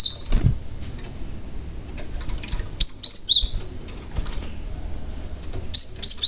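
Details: {'caption': 'Lure calls of a young cinereous tit meant to provoke other tits: sparse, sharp whistled notes sliding down in short groups, with wing flutters and faint background rumble between phrases.'}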